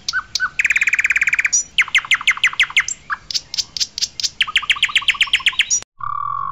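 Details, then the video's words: Asian pied starling giving a loud song meant as a master recording for training: fast buzzy rattles, runs of sharp clicking strokes and a few whistled slurs, then an abrupt cut to a steady tone. "Suara Kicauan Burung Jalak Suren Putih Cocok Buat Masteran Suara Keras"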